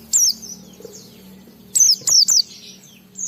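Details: Loud high downslurred whistles from a white-eye, one opening and three in quick succession later, separated by soft twittering; sung to provoke other white-eyes into singing.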